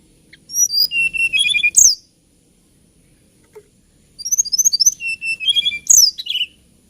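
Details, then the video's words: Hill blue flycatcher, a small songbird of Kalimantan and Java known for its lilting song, giving two bursts of high clear whistled phrases with quick chirps and a sharp descending note, separated by about two seconds of silence. "TLEDEKAN GUNUNG KICAU MERDU"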